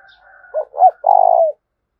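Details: Spotted dove cooing as a lure to get other doves calling. A soft higher tone sounds beforehand, then two short bent notes and a long, throbbing deep coo ending in a slight fall.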